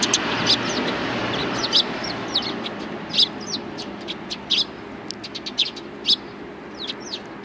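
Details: Several sparrows, one with an injured leg, greeting the recordist on the way out on 7 April 2020; short high chirps scattered irregularly over a steady low hum of background noise.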